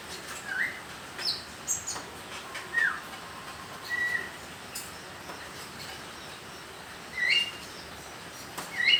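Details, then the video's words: Young konin bird learning to sing, giving short, thin upslurred chirps and brief whistled notes, spaced irregularly a few times over nine seconds, with steady background hiss. "Burung konin trotol belajar bunyi"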